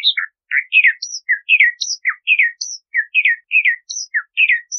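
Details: Bahama mockingbird singing lively varied phrases: short falling whistles, burry slurred notes and thin high notes, some motifs repeated two or three times in succession.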